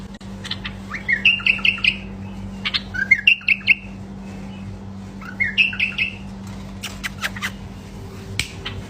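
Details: Male bulbul singing three bursts of quick, liquid warbled notes, each rising into a rolling series, separated by short pauses. Scattered sharp clicks and a constant low hum fill the background.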